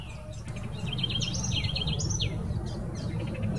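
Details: Southern house wren (corruíra) recorded on 26 November 2019 at the Jardim Botânico, São Paulo, Brazil: a quick run of bubbling, wavering trilled notes ending in a few sharp high chips, with constant low background rumble.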